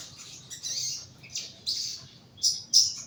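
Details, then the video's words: High, sharp chirps from a young bulbul kept in a lower cage for song therapy, given in short bursts roughly every half to one second, ending with two brief piercing notes; little background noise. "BUNYI SOGON MUDA TERAPI SANGKAR BAWAH"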